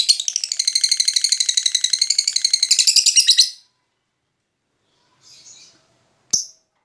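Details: Lovebird giving a master pancingan song: rapid, shrill, buzzy chattering for about three and a half seconds, then silence, a short faint chirp and one sharp click-like note.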